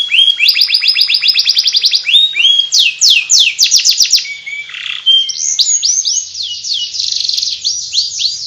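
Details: Canary giving a ngriwik warble: fast even trills of rising and falling chirps, a brief harsh buzz, then smoother rolling high notes.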